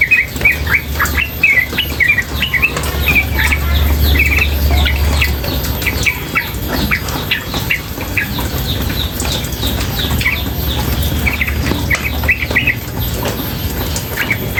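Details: Female yellow-vented bulbul chattering nonstop in ropel style with water sounds: clusters of quick chirps and flicked notes come in bursts, spaced by short pauses, against a constant rushing, rain-like wash and low rumble.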